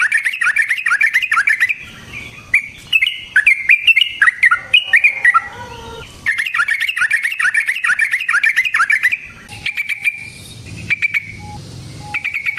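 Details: Sooty-headed bulbul in long, rolling 'gacor ropel' fighting song, used as a lure to provoke other bulbuls and for trapping; dense bubbly warbled phrases with rapid chattering runs, a short pause mid-clip, then more chatter and whistled notes.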